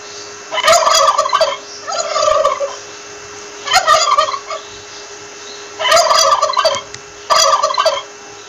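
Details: Back-to-back turkey gobbles, five rattling bursts packed close together, some nearly overlapping, above a steady background hum.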